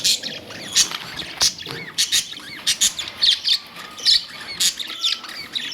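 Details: Budgies squawking and chirping in a lively, regular run of short harsh high notes, roughly three to four per second, with bent warbling calls between.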